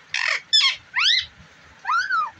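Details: Pet rose-ringed (ringneck) parakeet talking: four short harsh, voice-like syllables, the first two buzzy and the last two arching up and then down, separated by brief pauses.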